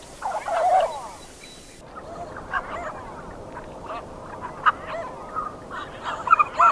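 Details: Canvasback ducks in Wisconsin give harsh, nasal calls, some grating and some honking, in irregular overlapping bursts several times a second over a soft background hiss.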